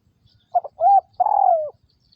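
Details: Vietnamese captive spotted dove used as a trapping decoy, 2022: a crisp coo phrase of a short broken note, an arched middle note and a long purring tail sliding down, in quiet surroundings.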